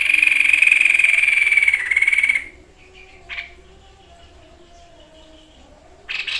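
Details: White-chested babbler, called sniper bird, in a training recording for songbirds: a loud, long, steady whistle held for over two seconds and falling slightly at the end, followed by a short note and quiet.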